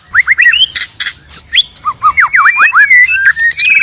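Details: Trapping-lure song of a male and female white-rumped shama: rising slurred whistles, dense bursts, then a run of swooping V-shaped notes and long flat whistles.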